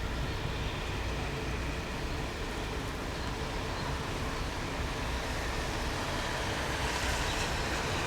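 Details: Constant roar of road or rail traffic filling the whole recording, with no animal voice.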